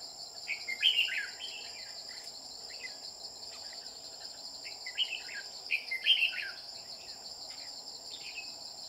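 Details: Red-whiskered bulbul singing while being trapped with a decoy bird, giving quick warbling phrases around the first second and again near six seconds, against steady high-pitched cricket buzzing.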